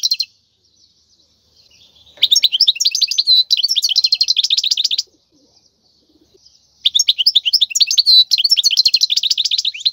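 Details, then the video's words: Wild European goldfinch singing, a song meant for training goldfinch chicks: long, dense runs of fast, bright twittering notes and buzzy trills, two extended phrases broken by a brief silence. "تغريد الحسون البري لتدريب الفراخ"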